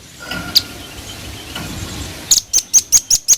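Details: A velvet-fronted nuthatch, calling eagerly, ends a stretch of low background noise with a rapid string of sharp, thin, very high notes repeated several times per second.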